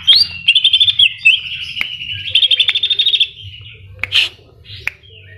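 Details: Energetic Greater green leafbird song with mimicked kapas tembak and cililin notes; long sliding whistles interrupted by rapid, evenly pulsed trills, then a short harsh burst and scattered clicks over a faint low hum.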